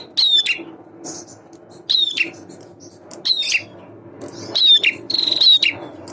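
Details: Male bar-winged prinia, described as a vigorous singer whose voice lies between the semi and klawu prinia types, gives repeated high, sharp chirp phrases about every one and a half seconds, ending in a quick rattling run, over a faint low background hum.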